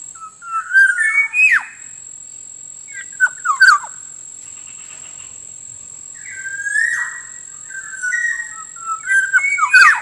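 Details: Black-naped oriole lure recording, used to draw wild birds: rich fluted whistles that slur and rise, in three phrases with sharp clicking notes, separated by brief pauses. A steady high tone runs throughout.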